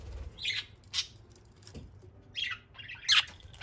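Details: Pet parakeets, eight free-flying hand-fed and other birds kept indoors at home, playing: a few short harsh chirps spaced about half a second to a second apart, with a quiet pause in the middle.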